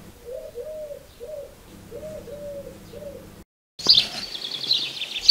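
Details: A dove in a summer garden near Arras gives soft, hollow, arched coos in a steady series, followed by a burst of sparrow chirping.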